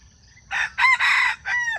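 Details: Wild junglefowl crow used as a lure for trapping wild chickens, recorded 31 July 2026: a short, hoarse four-part crow, with two quick rising notes, a longer harsh middle note, and a falling tail, over a quiet background.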